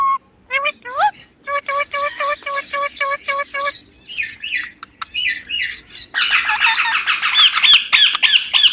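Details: Baby Indian ringneck parakeet, a pet parrot shown talking, utters a steady train of short upward-flicked notes, then softer scratchy phrases, and finally a dense burst of shrill chattering squawks.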